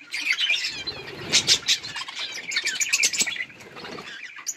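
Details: Several budgies chatter while eating and playing: dense high warbling chirps overlapping, brightest between one and a half and three and a half seconds, with faint rustling underneath.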